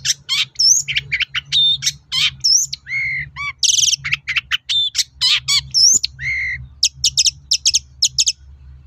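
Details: Long-tailed shrike song meant to provoke other shrikes into replying: varied mimicking phrases mixing loud sweeping whistles, low buzzy notes, rattles and a harsh burst, ending in clipped high chips.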